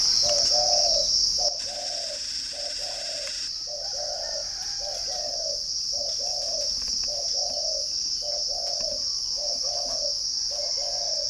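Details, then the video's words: {'caption': 'Long run of spotted dove cooing at a bird garden in Ba Vì, Hanoi, Vietnam: about ten evenly spaced low coo notes, regular rhythm, under a loud continuous high-pitched insect drone.'} "chim cu gáy"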